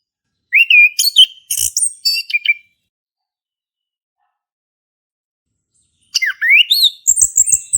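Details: Two bursts of varied whistling and squeaky song from a male orange-headed thrush, separated by about three seconds of silence; the recording serves to prompt a silent thrush to sing.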